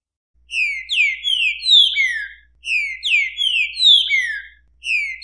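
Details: Green-winged saltator song variation from Brazil: buzzy, rough descending whistled notes strung into phrases of four, repeated about every two seconds, over a faint steady low hum.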